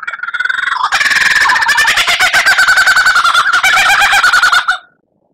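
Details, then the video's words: White-rumped shama, a kept songbird, in a tutor recording: one dense, continuous, rapid rattling chatter lasting about four seconds, harsh and buzzy, ending abruptly. "Masteran Murai Batu Gacor"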